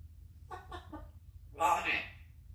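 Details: Pet African grey parrot mimicking words such as Abba ji and Ji Babuji: three quick voiced syllables followed by a louder, harsher drawn-out utterance, with low background hum.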